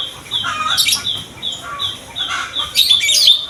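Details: Morning song of a Sooty-headed bulbul, played to lure young bulbuls of both sexes into singing; a few liquid, slurred notes come in separate bursts, ending in a louder twittering flourish, with a continuous thin high tone behind.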